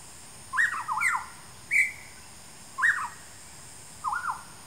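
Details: Wild rusty-cheeked scimitar babbler (Pomatorhinus erythrogenys) in Qidu mountain country, Taiwan, September 2019, gives a run of quick fluty phrases, some rising, some falling, at uneven one-second gaps, against constant high-pitched insect hum.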